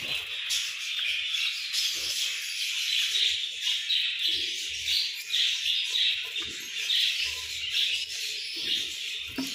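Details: English budgies in a breeding setup: dense, continuous high-pitched warbling and chirping from several birds, with soft low knocks and rustles beneath.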